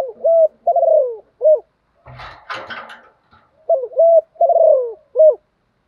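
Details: Decoy spotted dove trained to coo all day to provoke wild doves: a phrase of short coos and a long downward-sliding note, a loud clattering rustle in the middle, then the same cooing phrase repeated.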